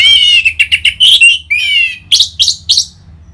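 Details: Orange-headed thrush delivering a loud, rich ngeplong phrase meant to trigger caged birds to sing: a long whistled trill sliding into several quick notes, then three separate emphatic chirps at the end.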